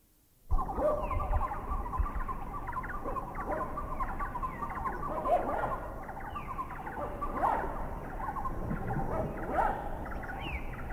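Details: Wreathed hornbill giving harsh, barking calls at irregular intervals over a dense, low-rumbling forest background with other birds chattering; the bird is heard flying away at the very end; recorded in a Thai national park.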